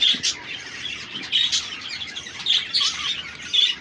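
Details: Exhibition budgies with chicks in a caged breeding setup in Karachi: many birds chattering at once, a steady wash of warbles punctuated by louder squawky chirps about once a second.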